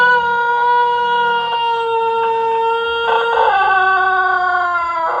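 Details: Pelung chicken from Plered, Purwakarta Regency, crowing: a single very long, steady, tonal crow held for about five seconds, wavering slightly and breaking into a rougher ending.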